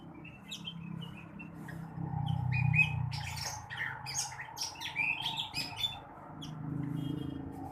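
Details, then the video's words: Morning song of a blue-winged leafbird, meant to stimulate other birds: a busy, rapid run of varied chirps, twitters and short whistles, some buzzy, over a noticeable low rumbling background. "kicauan rengganis atau cucak wilis di pagi hari. cocok buat merangsang burung bahan"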